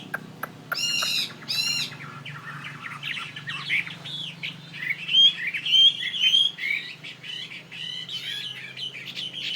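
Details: Fighting Chinese hwamei from northwest Vietnam opens with a few harsh, buzzy rasping notes. It then breaks into a rich warbled song of sliding whistles, quick trills and sharp repeated high notes.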